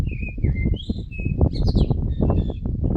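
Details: Common blackbird singing: a short run of clear, fluted whistles, several sliding downward, ending in a higher, squeaky twittering flourish, all over heavy low rumbling wind or handling noise.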